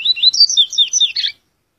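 A seed-finch and seedeater hybrid gives a quick, bright warbled phrase of high sweet notes, rising and falling for just over a second before it stops.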